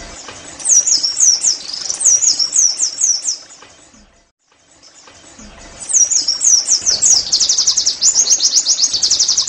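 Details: Oriental white-eye 'nembak' song, used to prompt caged birds into lively singing: high, hurried runs of twittering notes, a brief near-silent pause midway, then a stronger, fast, evenly pulsed trill.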